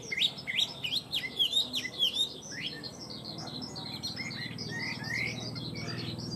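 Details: Tame Chinese hwamei song: a fast, lively string of high, sharp, twisting whistles, busy at first and then sparser, with a soft low hum underneath.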